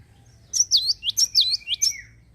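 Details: Java sparrow singing energetically: a quick run of about seven high, sliding, downslurred notes that twang and dip, with a faint low hum underneath.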